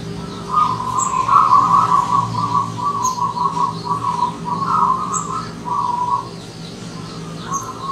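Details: Wild zebra dove that has come as a visitor, calling almost continuously with strings of fast, bubbling, trilled coo phrases at a steady mid pitch, while small birds chirp sharply high above and a low hum persists.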